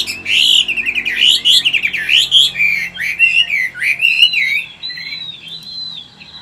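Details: Wild-caught mature Chinese hwamei in a cage in Vietnam, forest-style voice: a rapid rich warbling run of looping whistled notes, then softer drawn-out high whistles fading at the end.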